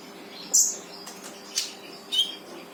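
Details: Brown-throated sunbird song used to prompt a quiet bird into singing: three short, sharp, high chirps spaced about half a second to a second apart over faint background hiss.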